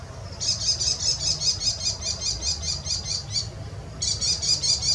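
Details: An American kestrel in farmland, startled into alarm mode, gives a fast, shrill killy-killy-killy series of high, even notes, pausing briefly before starting again, over a low background rumble.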